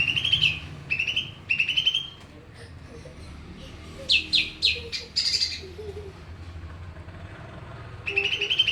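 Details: Greater green leafbird singing amid noise: bursts of buzzy, rattling mid-high phrases, a run of sharp chattering notes midway, then a pause before the buzzy phrases return, over a constant low rumble.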